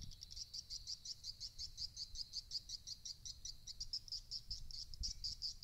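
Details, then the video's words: Swiftlet lure calls meant to make swiftlets roost in a bird house: high, clicky chirps repeated quickly, about two or three per second, in a fairly even pulsing series, with faint low background hum. "SUARA RUMAH WALET CEPAT MENGINAP"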